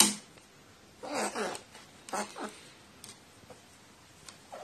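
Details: Crow acting like a begging chick when offered water, recorded 29 March 2018; two short hoarse, raspy calls about a second apart, with clicks and handling noises in a quiet indoor setting.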